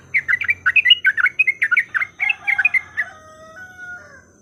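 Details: Yellow-vented bulbul fighting-song lure: a fast run of warbling, bouncing notes for about three seconds, then it fades into thin drawn-out whistled tones.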